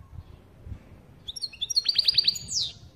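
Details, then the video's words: European goldfinch giving its "pat pat" call, meant to excite another goldfinch: after a quiet start, a quick burst of high, bright chirps, about five sharp notes in a row, closing with a downward-slurring note. "پت پت کردن سهره یا سایره برای مست کردن سهره دیگر"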